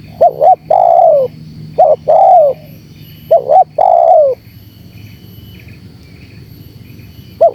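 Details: Spotted dove lure call to provoke wild doves: three phrases of a double hoot followed by a drawn coo that bends down. The phrases come close together early, then there is quiet with light background noise.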